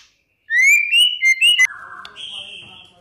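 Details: White-rumped shama lure song for provoking rival shamas: a loud rising whistle and several bright slurred whistled notes, followed by a lower buzzy note and a fainter high sustained tone.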